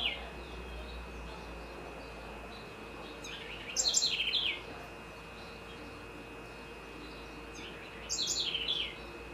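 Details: Great kiskadee in Florianópolis, Santa Catarina, Brazil, giving two short bursts of loud, sharp notes that drop in pitch, about four seconds apart, over a steady background hum.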